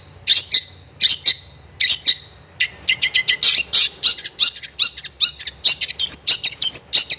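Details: Gacor song of a long-tailed shrike: three spaced harsh chattering phrases, then an accelerating string of sharp high chips and buzzy notes that continues steadily to the end.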